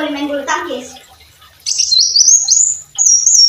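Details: Brown-throated sunbird singing for use in training songbirds: brief human voice first, then two high, thin phrases that climb in steps.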